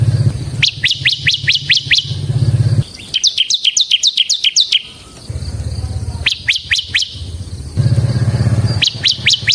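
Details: Bar-winged prinia (ciblek semi), recorded for luring and master song, sings several short bursts of fast high sharp notes between stretches of a loud low droning background.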